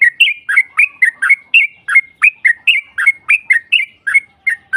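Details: Yellow-vented bulbul lure song to provoke a rival bird: steady bouncing phrases of two or three liquid, slurred chirps, repeated without pause throughout.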